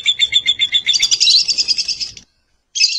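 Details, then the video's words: Lovebird giving a steady stream of sharp, high chirps, often doubled. The stream swells into a louder, harsher chatter, breaks off, and then one more shrill note sounds. "Lovebird Calling Sound"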